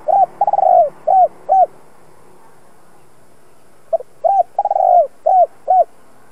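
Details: Decoy-training spotted dove with a two-ending 'giọng đồng' song delivers two full phrases about four seconds apart, each a rolled trilled coo followed by two or three rounded arched coos.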